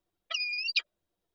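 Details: Peregrine falcon pair at the nest in Lublin on 19 March 2022, with an egg: one drawn-out, nasal, slightly rising whine lasting about half a second, ending in a sharp harsh click.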